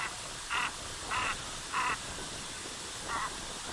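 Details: Canvasback with four harsh, raspy croaking notes, each brief, the first three evenly spaced about half a second apart and a softer fourth after a pause, over constant background hiss.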